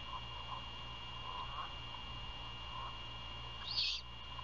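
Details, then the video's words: Great horned owl prey handover outside a nest near Savannah, Georgia, at 1:38 AM, February 2022; one loud rasping screech near the end follows faint soft notes, with a steady mechanical hum throughout. "Great Horned Owl~Prey handover outside! Feeding in the night~1:38 AM 2022/02/27"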